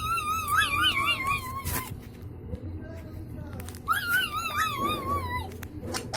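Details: Pet Indian ringneck parakeet talking before a mirror and phone indoors: two long warbling voiced phrases with wavy rising and falling tone, separated by a pause, over a low room hum.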